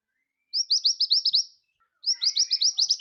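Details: Vigorous scarlet minivet song meant for tutoring other birds: two fast series of clear, high, rising whistled notes, six to nine in each, the second run starting about half a second after the first ends.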